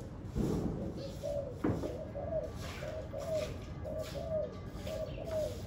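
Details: On a very windy day a spotted dove coos steadily, a run of soft, low, evenly spaced notes with gentle rises, amid gusty wind noise and a couple of sharp knocks.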